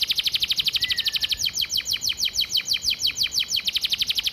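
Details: Canary master vocal for training, church filler style: a rapid, steady series of bright high repeated notes, shifting partway into slightly slower slurred downward notes, with one soft rising whistle in the background.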